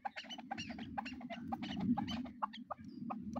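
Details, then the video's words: Pair of hunting chukar partridges calling: a steady run of short, broad chuck notes repeated about five times a second over a constant low hum. "Chakor pair sound"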